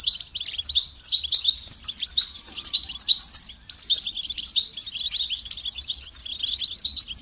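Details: European goldfinch in continuous song, a fast stream of twittering, tinkling and buzzy high notes with few breaks, played to motivate other goldfinches to sing.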